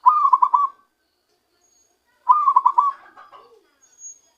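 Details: Lured and trapped zebra dove giving its natural song. Two staccato coo bursts of fast repeated notes, about two seconds apart, the second running into softer low notes.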